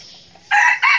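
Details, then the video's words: Red junglefowl decoy bird, a frequent crower, gives a short, loud, rasping crow in two bursts, the second rising slightly, against a quiet background. "Gà rừng mồi siêng gáy"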